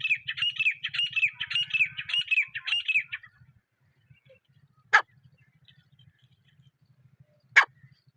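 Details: Wild partridge recorded in a jungle, unedited: a run of harsh, rasping notes repeated quickly for about three seconds. This is followed by quiet, with two sharp isolated clicks and a faint low hum underneath.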